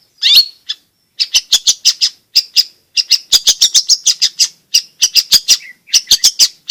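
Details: Long-tailed shrike in full, energetic song, used to provoke reluctant birds into singing and to tutor young birds: a brisk run of sharp, high chirps and short trills in irregular bursts, with brief pauses between phrases.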